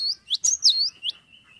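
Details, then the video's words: Cinereous tit in full song: one burst of high, swooping notes rising and falling, trailing into a thin steady whistle that fades out. "GELATIK BATU LAGI GACOR"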